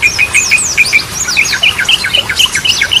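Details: Yellow-vented bulbul (trucukan) song in the Goklikan style, used as a lure for birds that have stopped singing: a regular series of short, bright chirped notes mixed with fast high sweeping whistles.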